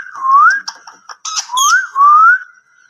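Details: Indian ringneck parrot kept as a talkative pet whistles clear, slurred notes that rise and fall, with a short rasping burst between them and a final long upward whistle.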